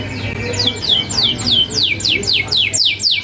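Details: Canary in lively rolling song, a training recording meant to draw replies from young birds. Clear high notes sweep steeply downward, repeated several times a second in an even series, with a faint low hum beneath.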